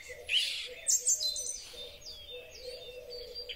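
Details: Song thrush singing in spring, recorded on a Huawei P30 Pro phone: loud, high whistled and chirping phrases with sharp notes, separated by pauses, over a steady low cooing in the background.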